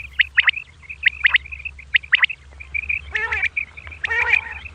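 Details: Early-morning calls of a female common quail: paired sharp chirps repeated roughly every second, then two hoarse, layered squawky bursts, with a steady low hum.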